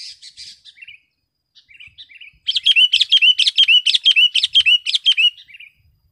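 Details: Sooty-headed bulbul in full vigorous song, for tutoring caged birds and luring wild ones: soft scattered chirps, then a loud rapid run of about a dozen sharp, evenly spaced chattering notes lasting three seconds.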